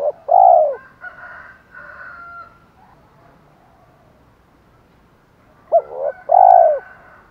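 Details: Spotted dove giving a 'thổ pha thúc đấu' style call to draw in wild birds: loud paired coos, short then long, at the start and again near the end. Softer overlapping tones fill the gap between them.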